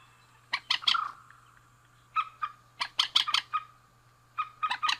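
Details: Rail pair, male and female, giving scattered harsh squawks and quick rattling strokes in three bursts, with pauses between them and a faint steady tone behind.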